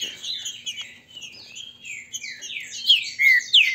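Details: Green-winged saltators kept by a Brazilian breeder, competing to heat up their singing, grego mole versus boiadeiro styles; tangled chattering notes give way to clear, loud down-slurred whistles in the final second.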